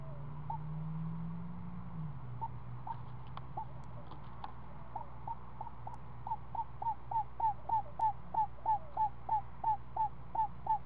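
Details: Screech owl family at the nest, with the seven-day-old owlet fed a snake by its mother in the afternoon; clipped hooked notes speed into an even, rapid run, about three a second, over a steady low drone.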